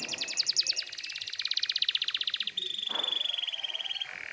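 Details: Canary song used to prompt young canaries to sing: rapid buzzy trills of high repeated notes, a steady metallic rattle, then a brief lower rasp and a higher trill.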